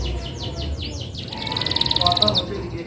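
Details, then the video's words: Canary song with a run of downslurred whistles followed by a rapid, rising-intensity trill of pulsed chirps. A steady low rumble and some background noise run through it. "Kenari mana yg tahan dengar kenari suara kenari ini"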